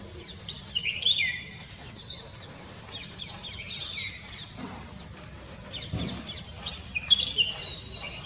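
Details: Bulbul perched atop a tree in India, giving a run of short, sharp whistled and chirpy notes scattered through the clip, some slurred downward, with low background hum and noise.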